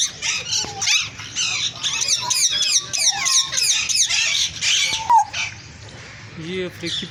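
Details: Green African parrots in a noisy chorus of rapid harsh squawks and sliding whistles for about five seconds, then quieter with a few low, muffled sounds at the end.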